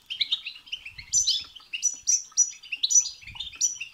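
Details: European goldfinch singing a stimulating song for other goldfinches, quick chattering twitters mixed with bright high whistled notes repeated every half second, a few faint low bumps in the background.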